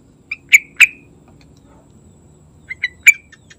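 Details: Yellow-vented bulbul heard in the morning, used as a lure to prompt other bulbuls to sing: short, loud, bright notes in two clusters, three then four, separated by a pause, over a quiet low hum.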